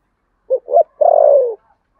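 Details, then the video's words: Single contest-cooing phrase from a spotted dove in the Sấm Thổ style: two brief clipped notes followed by a drawn-out, slightly wavering coo that slides downward, in a quiet background. "tiếng cu gáy thổ sấm/ chim cu gáy gù đấu và thúc bài bản giọng Sấm Thổ"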